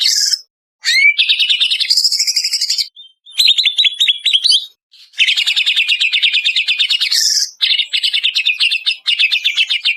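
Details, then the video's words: Greater green leafbird of the Banyuwangi type, in a processed training lure recording meant to make birds sing: long dense runs of rapid buzzy, trilling notes with sharp whistled slurs, broken by short pauses, clean with no other sounds. "Suara Pancingan Jitu Cucak Ijo Banyuwangi"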